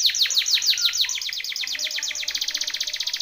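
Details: Timbrado canary singing a training song: a fast, steady trill of repeated descending chirps, evenly spaced and slightly quickening in the second half.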